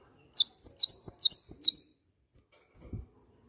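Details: Great tit (gelatik batu) call used as a lure to make other birds sing: a quick series of seven sharp, high, V-shaped chirps, each dipping then rising, delivered in about one and a half seconds, followed by a faint low thump.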